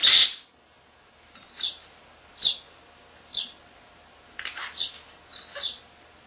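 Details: Young pet common starling indoors, imitating camera beeps and other birds: a loud opening squeal, then short, evenly spaced high chirps or beeps, some doubled, with quiet gaps.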